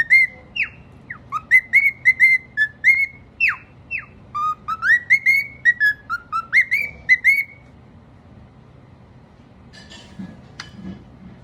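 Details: Cockatiel singing a run of clear whistled notes, some flat, some swooping up or down, delivered in quick succession for about seven seconds before fading into quiet background hum with a few faint chirps.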